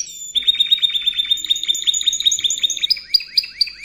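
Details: Spanish Timbrado canary singing in canary training audio: a fast, even rolling trill of high notes that gives way to slower, separated repeated notes near the end, with a faint low hum beneath.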